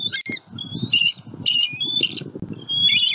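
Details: Wild adult bald eagle pair at their nest tree in Southwest Florida, on a live nest camera, calling to warn off a juvenile eagle flying over while guarding their first-hatched eaglet; high, shrill, chattering squeals in rapid bursts, with low rumbling wind beneath.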